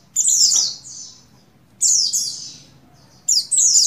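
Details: Breeding-condition buxtoni white-eye female calls the male. Three longer bursts of shrill, slightly buzzy chirps are heard, each sliding downward and echoing before silence.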